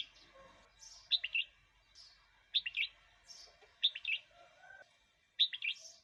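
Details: Red-whiskered bulbul song used to lure wild birds or teach young birds: four short whistled phrases of three or four notes, each roughly one and a half seconds apart, mixed with soft higher chirps.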